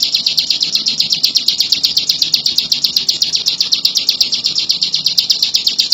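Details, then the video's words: High, rapid chirping from a bar-winged prinia, steady repeated notes forming a continuous rattling song with a faint low background hum. "Burung ciblek lulut gacor"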